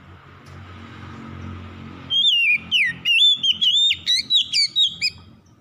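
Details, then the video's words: Oriental magpie-robin (kacer) bursting into song after a quiet, hum-filled stretch: quick sequence of clear whistled notes, some dipping and rising, with sharp upswept chips between them; used to coax a quiet bird. "PANCINGAN SANGAT AMPUH MEMULIHKAN KACER MALAS BUNYI CEPAT GACOR"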